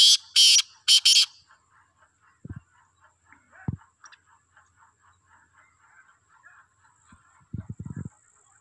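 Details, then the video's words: Black francolin (kala teetar) calling while roaming freely: three loud, harsh, rasping bursts in quick succession, then soft ticking pulses and scattered low thumps. "Black Francolin Voice Kaly Teetar Ki Awaz"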